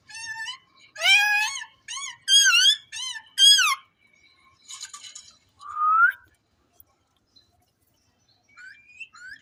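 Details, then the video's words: Indian ringneck parrot kept in a cage, talking in a run of five loud, strongly harmonic speech-like syllables, then a buzzy rasp and a single rising whistled note, with faint chirps at the end. "Gergeous parrot in one cage in amazing talking"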